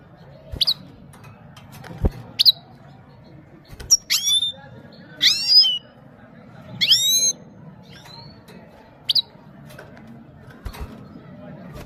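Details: Himalayan goldfinch from Parachinar, singing toward a female: scattered short high chips and a few twittering, upswept phrases separated by pauses, with a faint low background hum and occasional clicks.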